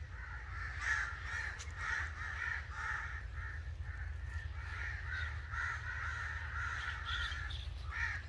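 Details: Harsh caws from angry crows in irregular overlapping bursts, hoarse and grating, with low-pitched background noise throughout.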